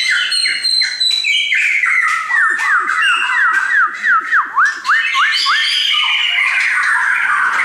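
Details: Song from a friend's caged shamas: a quick sequence of about ten ringing down-slurred whistles repeated in a steady rhythm, bordered by high thin notes and busy warbling.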